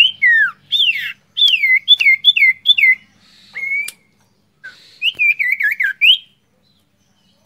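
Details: A male sirtu whistles as a lure, giving looping, falling whistled notes in quick sets of four or five, then a wavering trill-like phrase, separated by short gaps.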